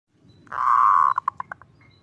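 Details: Zebra dove song in the kerot ngutut kowar style, used as a tutor and lure recording: one long, steady, purring note, then five short clipped notes that quicken and fade.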